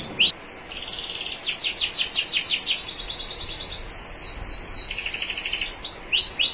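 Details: National champion canary singing on a training recording with clear trickling water, more softly: varied phrases of buzzy rolled trills, quick falling sweeps and arched whistled notes.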